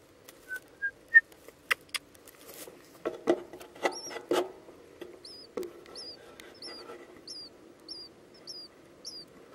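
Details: Four-day-old Eastern Bluebird nestlings in a trail nestbox on April 29, 2015, give thin, high, squeaky peeps about every half second, after a run of sharp taps and knocks with a low rumble beneath.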